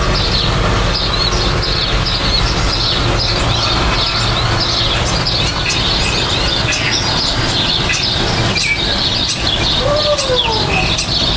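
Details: Common starlings at nesting and nest building time: a steady stream of high, squeaky, scratchy chattering notes from several birds, over a constant low rumble of engine or traffic noise, with a low sliding tone near the end.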